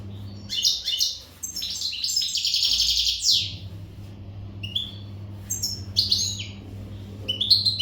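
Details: Untutored Maghreb European goldfinch in peak breeding-readiness song: energetic, varied twittering with rapid liquid trills and a buzzy rolling phrase, broken by brief pauses. Low mains hum runs throughout.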